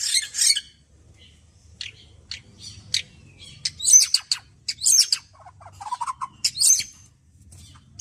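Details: Song of a white-rumped shama after bathing: a loud buzzy opening, sparse high chips, then bright piercing whistles mixed with lower fluty notes in short, varied phrases.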